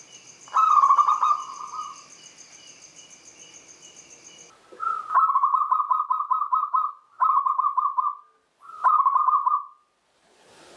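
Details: Angkatan song of a local zebra dove, meant to prompt silent birds to sing: four rolling phrases of quick, evenly pulsed coos, the first over a steady high electronic whine that stops midway.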